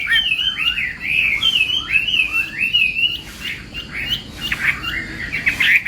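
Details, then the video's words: Morning voice training of a contest Chinese hwamei: fluid, rolling whistles rising and falling in long connected phrases, followed by quieter, choppier notes. "Hoạ Mi Hót Đấu /hoạ mi hót sáng luyện giọng"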